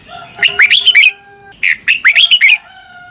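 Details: Red-whiskered bulbul singing its morning competition song, with long double notes, for training birds: two lively phrases of swooping, rich whistled notes, each ending in quick chirps, over a low steady hum.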